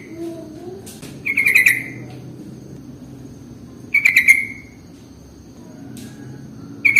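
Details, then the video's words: Sooty-headed bulbul song played as a lure for bulbuls, with brief chirpy whistled phrases of several quick notes recurring every few seconds against a quiet low background hum. "SUARA pancingan paling AMPUH untuk Trucuk jenis apapun"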